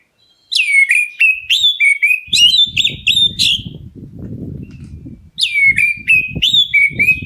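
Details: Black-breasted oriental magpie-robin calling to draw answers from other birds: rich, rapid whistled phrases mixing piercing high notes and sliding mid-pitched slurs, with a pause midway and low rustling or thumping underneath.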